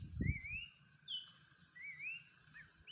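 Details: Horsfield's babbler in the wild: long, smoothly rising whistled phrases repeated about every second, with short downslurred notes between, a brief thump at the start, otherwise a quiet background.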